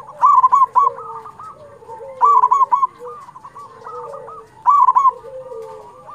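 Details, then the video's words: Zebra dove of a local Indonesian strain, singing actively as a lure for its own kind: loud staccato coo trills roughly every 2.3 seconds, separated by quieter trilled cooing and falling lower notes from other doves. "Perkutut lokal gacor Suara ini sangat disukai semua perkutut"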